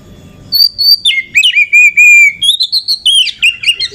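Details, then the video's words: Female Oriental magpie-robin singing as a lure to stir up other magpie-robins: after a brief soft pause, loud ringing whistles with sliding drops, a sustained even tone, then rapid varied chirped notes. "KACER EMOSI TINGGI || Pancingan Kacer agar Emosi buat Dongkrak emosi kacer yang kurang sumringah"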